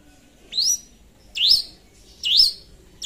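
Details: Three loud slurred notes, each climbing then dipping, spaced just under a second apart: a long-tailed shrike in vigorous song used as a lure to call a rival.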